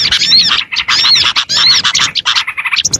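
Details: Short burst of small-bird lure sound: loud, quick twittering with squeaky, slurred notes in three or four clustered bursts, then scattered chips.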